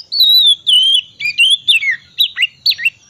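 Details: Oriental magpie-robin, ngriwik wiksar style, recorded to coax silent magpie-robins into singing: long clear whistled phrases sliding downward, then shorter quick twisting notes, delivered at a steady lively pace.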